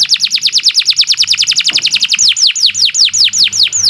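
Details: Tutor canary singing for young or reluctant birds: a rapid roll of downward-slurred whistled notes, slowing near the end into separate, evenly spaced descending sweeps; faint low hum behind.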